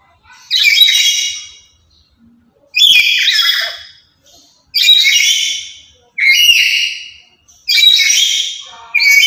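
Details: Chattering lory, loud and lively, kept to draw in and train other lories: shrill grating screeches repeated about every two seconds, five strong bursts in a row, little else audible.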